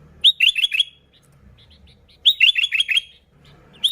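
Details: Sooty-headed bulbul in energetic song, played as a lure for bulbuls: two phrases of four or five rapid, ringing, downslurred chirps, with a faint low murmur in the background.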